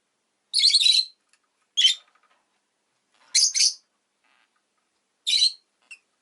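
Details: Shrill, scratchy chirping from a pet rosy-faced lovebird: a longer buzzy burst, then shorter sharp notes and a doubled chirp, irregularly spaced with silent pauses.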